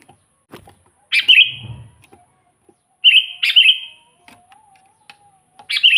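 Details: Sooty-headed bulbul (kutilang), used as a lure for trapping wild bulbuls and as a tutor for birds that rarely sing; short bright chirped phrases descending slightly, three bursts spaced about two seconds apart, with faint low rustling.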